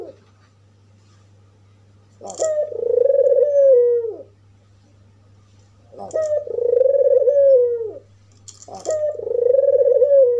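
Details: After a quiet start, an albino African collared dove with white plumage and red eyes gives three evenly spaced coos about three seconds apart, meant to provoke other doves. Each is a short burr, then a long falling, hollow note, over a low hum.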